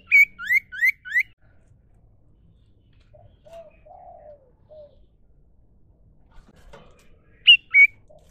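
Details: Wild common iora (sirtu cipoh), natural song: four loud rising whistled notes in quick succession, a pause with softer low slurred whistles, then two more sharp notes near the end.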